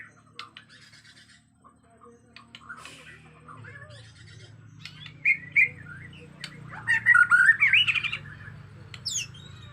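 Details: Agitated white-rumped shama of Borneo, natural forest sound: faint scattered chips early, then louder whistled notes and a burst of fast warbling chatter in the second half, ending with a high downslurred call, steady low hum beneath.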